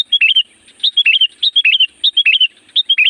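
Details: Sooty-headed bulbul (kutilang gunung) calling loudly to lure wild bulbuls: clear, repeated liquid phrases of three or four bouncing whistled notes, one every half second or so, against a quiet background.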